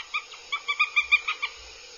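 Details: Begging calls from aggressive Northern goshawk chicks on their nest at Abernethy, Scotland, 2022, caught by a live nest camera: a rapid run of about ten thin, nasal, evenly spaced squealing notes, swelling then fading.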